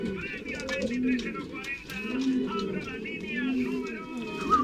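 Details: Male Canary pouter pigeons (buchón canario) in strong breeding condition give deep, rounded coos, each a low swelling arc repeated about once a second, over a busy background of other birds' chatter.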